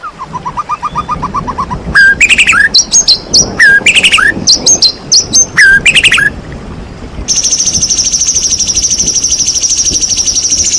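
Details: White-rumped shama song aimed at provoking reluctant shamas: a soft rapid trill, then loud varied whistled and chattering phrases, ending in a long continuous buzzy rattle.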